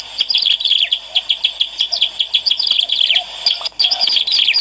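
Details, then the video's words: Bar-winged prinia song played to lure birds. Piercing high chirps and downward-sweeping notes follow one another in a rapid jumble, with a short pause before the fourth second. "SUARA PEMIKAT CIBLEK ALANG-ALANG GACOR"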